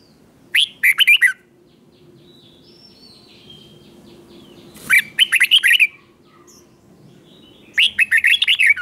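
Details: Three bursts of red-whiskered bulbul song, each a rapid series of seven or so warbling, whistled notes, spaced a few seconds apart, played to teach young birds; faint hum and a distant tone between phrases.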